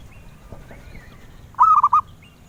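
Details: Zebra dove, a songbird sought by collectors, giving one short melodious cooing phrase of three or four clipped, rounded notes after a quiet start.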